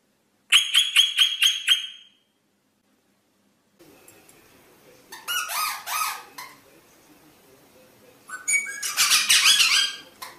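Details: Rosella giving a quick run of about six repeated ringing notes, then a pause followed by harsher, scratchy chattering phrases.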